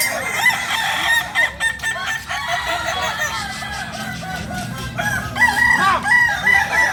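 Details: Kukuak Balenggek chickens, native to Solok in West Sumatra, crow in choppy pulses of arched syllables, followed near five and a half seconds by a clear, sustained high crow over the chorus.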